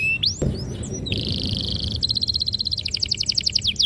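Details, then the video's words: ['Singing canary, a lure for young canaries learning to sing: a sharp rising note, a steady buzzy trill, then quick repeated downward-sweeping whistles.'] "PANCINGAN KENARI PAUD BELAJAR BUNYI"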